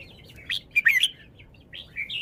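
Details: Red-whiskered bulbul song in bursts: a bright whistled note, then a rapid cluster of rich warbling syllables, a pause, and a final fluid whistle; quiet background.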